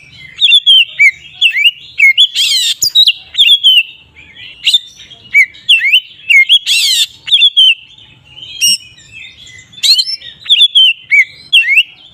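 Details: Oriental magpie-robin, called kacer, singing its ngeplong song, used to provoke other magpie-robins into aggression: loud whistled notes sliding up and down, mixed with harsh buzzy bursts, in quick repeated phrases.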